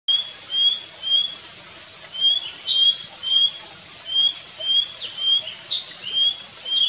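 A Nilgiri blue robin gives a steady series of short, thin whistled notes, roughly two each second, while a second bird adds higher chirps in the background.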